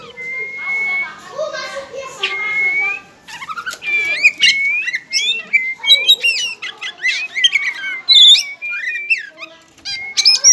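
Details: Kept white-rumped shama of the togar variety, pouring out a long varied song: steady piping whistles, rapid rattles, rising and falling slurs and harsh squawky notes in quick succession.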